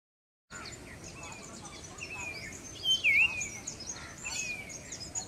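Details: A breeding adult male common iora in display gives a clear whistle that dips and rises, with short whistled slurs, over a busy backdrop of thin high chirps from other birds.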